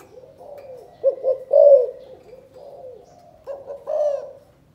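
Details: Calling coo of a spotted dove from Cần Thơ, Vietnam, in the chụp chụp ô style. Soft low cooing gives way to two louder rolling phrases of quick stuttered notes, each ending in a longer, slightly falling coo.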